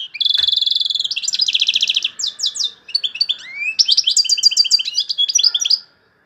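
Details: European goldfinch from Algeria in loud song with phrases locally called torojio, kaka jio and borouis: nearly six seconds of dense, high twittering, rapid buzzy trills and repeated chirped notes, then abrupt silence.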